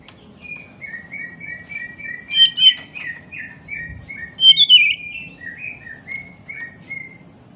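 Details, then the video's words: Oriental magpie-robin described as agitated and jumping, singing as a lure for magpie-robins that have stopped singing. Long, steady series of short, paired whistled notes, about four per second, broken by two louder, scratchier warbled bursts. "Pancingan Kacer MACET BUNYI, dengan Kacer EMOSI LONCAT INI, dijamin NYAUT GACOR KACERNYA"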